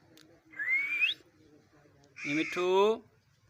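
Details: Parrot talking: a clear rising whistle, then a louder harsh, speech-like burst with stacked tones, quiet room hum between.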